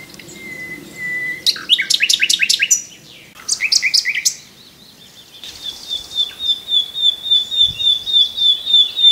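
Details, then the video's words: Common nightingale song with a long thin whistle, loud fast repeated rattling notes in two bursts, then a steady high whistle broken into pulsing repeated notes. "The best Birdsong movie ever starring the Common Nightingale"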